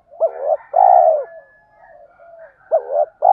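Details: Decoy spotted dove calling the "tiếng thúc" used to excite wild doves: a two-note coo phrase, short hooked note then long throaty coo, soft murmuring coos, then the phrase beginning again.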